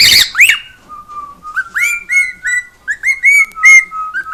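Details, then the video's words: Singing house cockatiel. A harsh burst opens into a string of short whistled notes that alternate between a lower and a higher pitch, several rising at the start, in an uneven rhythm. "CALOPSITA(KIKO) CANTANDO E FAZENDO BARULHO!"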